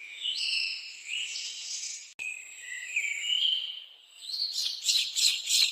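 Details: Screaming piha; scream; warning others and attracting mates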